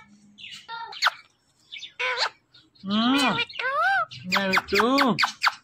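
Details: Talking green Indian ringneck parakeet saying "Mitthu". Short high chirps lead into throaty, voice-like syllables that bend up and down, sounding speech-like and delivered in quick succession.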